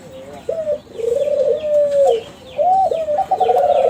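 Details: Young Kelantan spotted dove from a contest-champion bloodline, bred as a lure bird to get other doves calling: low, drawn-out coos, some with a trilled start and a slight fall, ending in a buzzy trill, while small birds chirp faintly behind.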